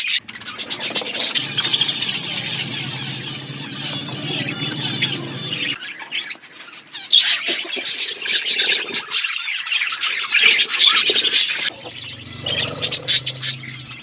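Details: Eating budgerigars in a flock keep up a steady high-pitched warbling chatter with scattered sharp chirps, plus intermittent low cooing in the background.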